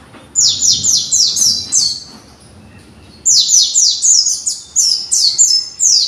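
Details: Young white-eye practising its developing song: two fast series of sharp, high, downward-slurred chirps, each series with about five notes, separated by a short quiet gap.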